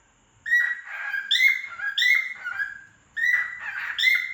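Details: Cockatiel (Nymphicus hollandicus) sings a run of bright, slurred whistles with a harsh, raspy edge.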